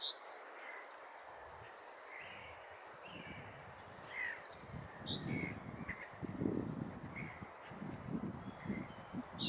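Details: Great tit in early spring, a voice taken as a sign of spring: scattered high, thin down-slurred notes over a soft hiss, partly masked by low rumbling bursts of background noise.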